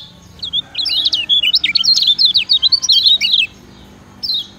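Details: Yellow kecial, used as a master song for training other birds: a rapid run of sharp, high chirping notes, twisting up and down in quick succession for about three seconds, then a short trailing phrase after a pause.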